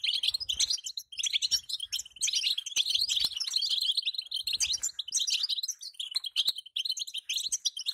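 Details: Female European goldfinch calling so the male will sing: sustained fast twittering of sharp high chirps and trills, interrupted by occasional clicks and low thuds.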